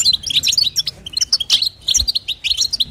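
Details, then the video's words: Female goldfinch calls to rouse the male with batbata twittering: clustered sharp, high notes and liquid chirps in bursts, a short pause near one second, then more rapid twitters. "نداء انثى الحسون لتحفيز طائر الحسون | بتبتة وستسته جديده"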